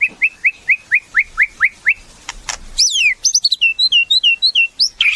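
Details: White-rumped shama, a caged murai kept for song, repeating an upslurred whistle in a steady series of about ten notes, then high sweeping and looping whistles, with a couple of clicks.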